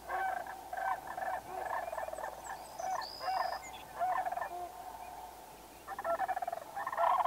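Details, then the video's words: Sandhill cranes in North America give their rolling, rattling, trumpet-like calls in rapid overlapping bursts, with a brief pause before the chorus resumes; a thin high whistle sounds once in the background. "Ancient Call of the Sandhill Crane"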